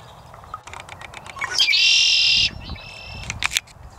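A Red-winged Blackbird gives a quick rising note, then a loud buzzy trill for almost a second, after a run of sharp clicking chips. More short chips follow.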